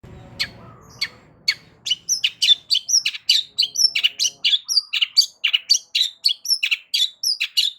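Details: Long-tailed shrike singing loudly to provoke other shrikes to respond: a rapid run of sharp, varied chirps and harsh notes about four per second, starting after a brief low rumble.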